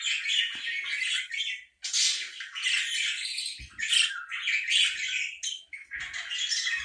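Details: Parakeet squawking almost nonstop in harsh, grating, buzzy bursts with only brief pauses, continuous chattering calls filling the whole recording.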